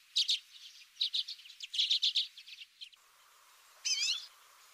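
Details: Common redpoll calling: quick stuttering series of dry chet-like notes in clustered bursts for about three seconds, then a pause and a single wavy, warbling note.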